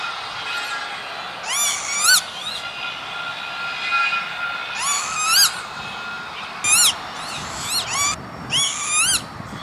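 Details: Around six plaintive, wheezy lapwing calls, each ending in an upward flick, come in uneven bursts at an industrial estate near Veenendaal, Netherlands, on 28 May 2013.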